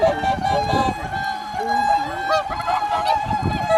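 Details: Swans at blue hour before sunrise, Kotoku-numa, Japan: a sustained honking background with nearer, lower wavering calls sliding up and down, plus soft wind rumble.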